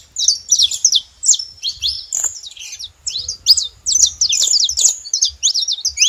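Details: Wild saffron finches singing freely in nature, several birds: rapid clusters of bright, high chirps and slurred notes, arriving in busy runs broken by brief pauses, with a faint low background hum.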